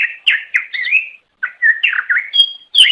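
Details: Greater green leafbird song used to attract others of its kind: fast run of sliding whistles and chattering notes, including a pure, level high whistle near the end.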